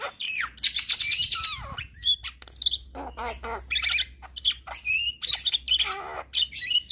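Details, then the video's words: Javan myna singing nonstop: a fast rattling trill, then sweeping whistles, harsh squawky notes and bubbling chatter in quick succession over a faint low hum. "Masteran Juara Burung Jalak Kebo Gacor Tak Henti Henti Ngoceh Seharian"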